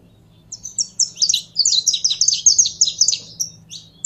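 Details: Saffron finch song that starts after a half-second of quiet and builds into a quick, high series of chirps and trilled notes, thinning out toward the end. A faint low hum is audible.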